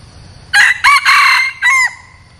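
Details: A red junglefowl decoy cock crows in four loud, harsh bursts over about one and a half seconds, the long third note held and the last one clipped, over a faint low hum.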